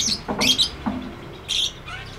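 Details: Lovebird in a 'ngekek' chattering song from a tutor recording. A brief snatch of two harsh squeaky bursts, separated by a short gap, sounds against a quiet background.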